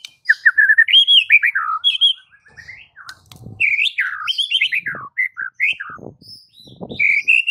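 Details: Training song of a white-rumped shama meant to draw silent birds into singing: a continuous stream of bright, varied whistles and chattering trills, rapid and irregular, with occasional low thumps underneath.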